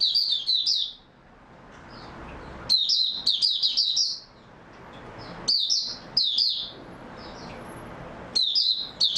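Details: Song of an oriental white-eye on 3 March 2022, after a good night's sleep: bright, very high twittered phrases about one second long, returning roughly every two to three seconds against a quiet background.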